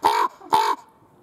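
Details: Common raven at Schönbrunn Zoo, captive, recorded February 2020 on a camcorder: two loud, harsh, rasping croaks about half a second apart, each roughly a quarter second long, then quiet.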